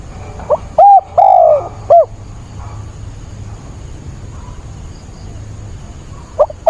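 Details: Spotted dove acting as a lure in stormy rain on 28 October, sounding a single phrase of short coo, long sinking coo and short coo, followed by several seconds of rain-like background noise.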